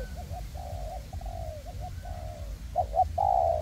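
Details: Two spotted dove decoys, one on a stand and one on the ground, cooing in a forest to lure wild doves for trapping. A series of gentle drawn-out coos, then two clipped notes and a loud rolling finish, wind steady beneath.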